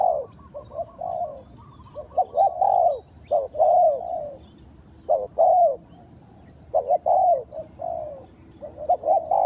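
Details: Spotted dove coos used as a lure for trapping: hoarse, arched notes in clustered phrases, a quick soft stutter at the start, then strong coo bursts spaced by short silences.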